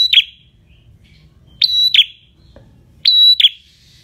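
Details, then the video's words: Prinia singing clearly in the ngalun style at a semi-active pace, for training cage birds: piercing level whistles, each closed by a short descending chirp, repeated at irregular intervals of about one and a half seconds, with a soft thump between. "MASTERAN Prenjak Semi Gacor Suara Ngalun"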